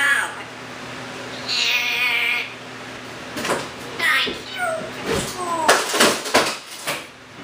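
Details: Talkative rescued Timneh African grey parrot uttering speech-like harmonic phrases and higher squeaky notes, followed by a run of clicks and bursts in a quiet room.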